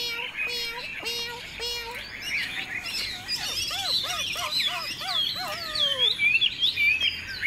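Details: Tame caged Chinese hwamei singing strongly while flicking and beating its tail: steady whistled notes, then a run of rapid looping, varied phrases with rising and falling slurs, amid a busy, noisy background.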